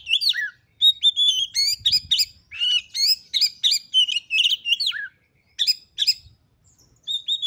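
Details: Female white-rumped shama calling to provoke males: dense run of sharp chirps and clear whistles, some falling slurs, with a brief gap before further whistled notes.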